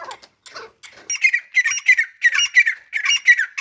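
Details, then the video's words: Female grey francolin giving harsh, squeaky notes in a rapid series of about three per second, with fainter, broken sounds before the calling starts. "teetar ki awaz | teetar female awaz | gray francolin teetar sound | teetar voice"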